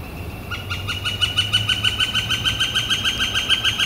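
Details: Spring call of a Northern flicker on a warm, clear April 28 2014: an even, quick series of bright repeated notes, roughly five per second, running to the end.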